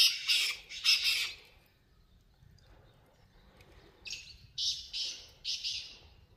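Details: Wild black francolin (kala teetar) calling: two loud, harsh, buzzy notes in quick succession, a pause of nearly three seconds, then three rasping grating notes about half a second apart, over quiet low background rumble.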